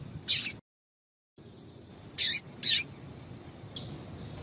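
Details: Calling female double-collared seedeater, used to warm males up for singing contests; one high chip, a short dropout of silence, then two close chips and a faint final note.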